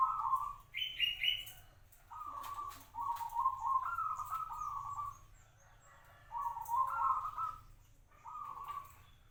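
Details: Local zebra dove kept in captivity for five years, singing short trilled, bubbling cooing phrases at a mid pitch, several in quick succession with brief pauses, and a higher trilled note early on.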